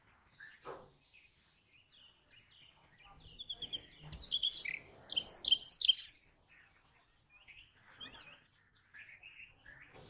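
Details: Brown rock chat producing scattered high chirps that build into a fast, loud run of slurred falling notes midway, then fade to sparse quieter calls, with a low thud and faint background noise.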